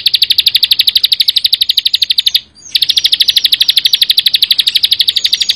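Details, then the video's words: Fast, even, high ticking trill of a Bar-winged prinia (ciblek sawah), broken by a single short pause midway, then continuing in the same steady rhythm. "ciblek sawah gacor full bren rapat"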